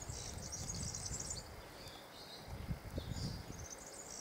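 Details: Male European serin singing: a very high, rapid, sizzling jingle of tinkling notes in two bursts, one over the first second and a half and another in the final second, above steady low rumbling background noise.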